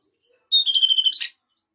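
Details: Red-rumped parrot singing to stimulate female and male to mate: one clear high whistle slides straight into a rapid pulsed trill of about a dozen beats, ending in a short rougher burst, all under a second, with silence around it.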